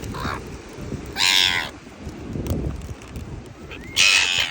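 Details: Seagulls fighting over food on a beach: two loud, harsh, high squealing cries, one near the middle and one at the end, over steady low rumbling background noise.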